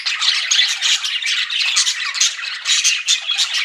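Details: Pet budgies, described as flirting, give lively chattering: rapid scratchy warbles and sharp little squeaks from several birds, tightly packed together.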